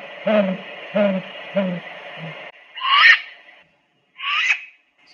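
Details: Great Gray Owls in the Okanogan Highlands of North Central Washington: three deep, soft hoots from the male about every two-thirds of a second, then two harsh, rasping screeches from a chick, over a steady hiss.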